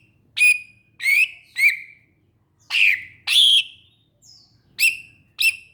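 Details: Greater green leafbird calling with loud, abrupt whistled chips, some bending downward, arriving in irregular pairs over nearly six seconds, with little background noise.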